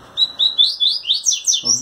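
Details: A brown-plumaged captive double-collared seedeater sings to a female while trembling its wings in courtship: a rapid series of bright, slurred whistled notes, rising and falling in pitch, about seven in under two seconds.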